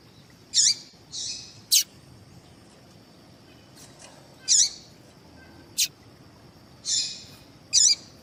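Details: Female double-collared seedeater calling to get males singing; irregular harsh high chirps alternating with buzzy notes and sharp clicks, roughly every one to two seconds, above a constant thin high tone.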